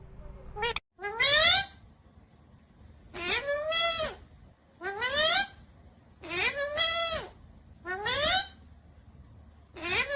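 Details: Pet Indian ringneck parrot being playful, giving a series of drawn-out, nasal, arching calls, each lasting about half a second and repeated every second or two, with a low indoor hum beneath.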